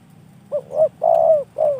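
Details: Close, clear cooing from a spotted dove kept by a bird hobbyist: a quick pair of rising coos followed by a long steady coo and a final short downward coo, with faint low background hum.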